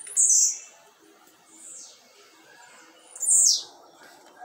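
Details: Blue-black grassquit, a kept bird placed outdoors in the afternoon, giving short high buzzy down-slurred phrases, two loud ones about three seconds apart with a fainter one between, over a soft background murmur.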